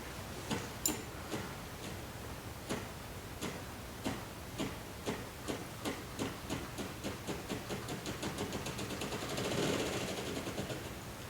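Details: Ruffed Grouse drumming, made by air as the bird beats its wings: hollow thumps spaced well apart, speeding up steadily until they blur into a fast whirring roll near the end.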